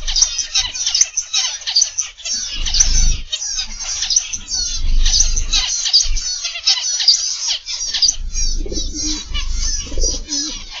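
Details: A morning aviary of zebra finches gives nonstop high, buzzy chirps and short nasal notes from many birds at once. Low thumps and a few soft coos come toward the end.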